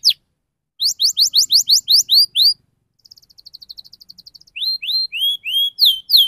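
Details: Fast, sharp rolling canary song meant to coax juvenile canaries into singing: a quick run of rising whistled notes, a short fine trill, then loud descending sweeping whistles repeated in a rapid series.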